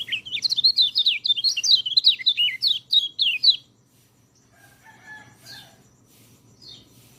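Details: White-eye song used as a master recording to train white-eyes that rarely sing: about three and a half seconds of rapid, high, twittering warbled notes rising and falling, then near silence with faint distant chirps.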